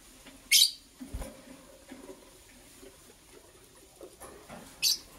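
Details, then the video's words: Green and blue lovebirds preparing for egg laying, heard in the morning: two sharp, shrill, scratchy chirps near the start and end, with soft tapping and faint rustling between them and a low hum beneath. "Green and Blue Lovebird Chirping Sounds - Preparation for Egg Laying"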